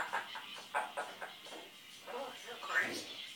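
An African grey parrot mimics human speech, a short laugh and a phrase in a voice-like, slightly nasal tone, with several quick syllables over three seconds.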